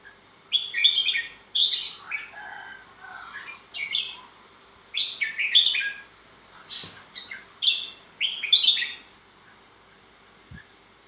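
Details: Red-whiskered bulbul delivering a string of lively, chattering whistled phrases, each a rapid cluster of rising and falling notes, repeated with short gaps through the stretch.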